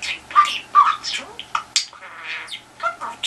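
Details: A pet budgerigar trying to elicit a response from a telephone chatters in quick, uneven bursts of scratchy squawks mixed with short clear whistled chirps, about two or three notes a second, with no other sounds.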